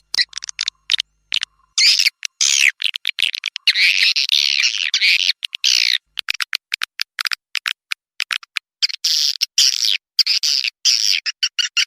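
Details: Swiftlet calls played to attract birds to roost in a new nesting building: rapid, high-pitched chittering and twittering in dense bursts broken by short gaps, continuing almost without pause.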